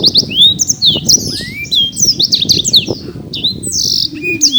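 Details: Caged champion Black-throated canary in Bekasi singing a varied run of high sweeping whistles and chirps over a faint low background rumble.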